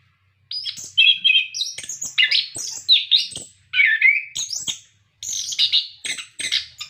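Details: Song of an orange-headed thrush, used to coax other caged birds into song: a rapid stream of rich, varied whistles, rising and falling slurs and trills, broken by a few brief pauses.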